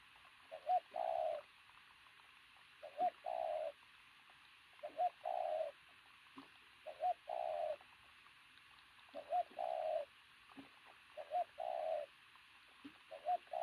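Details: Powerful, athletic-looking pigeon cooing loudly in repeated phrases. Each phrase is a brief bent note followed by a sustained coo, coming roughly every two seconds, with soft knocks between.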